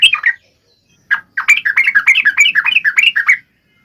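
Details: An energetic sooty-headed bulbul, recorded as a lure for lazy bulbuls, gives a short opening phrase. A pause follows, then a two-second run of quick, bubbly, up-and-down notes, about three per second, before it falls silent.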